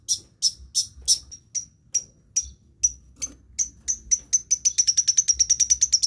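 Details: Long-tailed shrike mimicking other birds: sharp, high chirps, spaced at first and then speeding into a quick, even run of notes toward the end.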